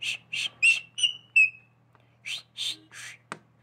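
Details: A pet parrot, urged to whistle and said to whistle like a human, gives short, clear, high whistles, some sliding upward, among harsh raspy chirps, then a pause and more scratchy calls.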